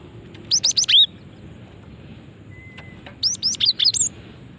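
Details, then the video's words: Female cinereous tit calling to draw response from others: two loud bursts of five or six rapid, sharp rising chirps with slurred endings, nearly three seconds apart, background otherwise quiet. "Ampuh memancing bunyi gelatik batu betina ini"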